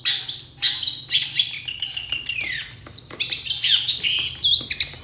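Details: Long-tailed shrike singing to draw replies from other shrikes: a rapid, varied run of chattering notes, scratchy trills and sweeping whistled slurs, continuous and busy, with a low hum beneath.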